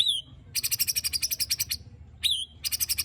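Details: White-rumped shama in a rough-fill 'tembakan' and 'besetan' song style, used to stir other shamas: a high slurred whistle, then a fast buzzy rattle of about fifteen pulses, another whistle and a second rattle.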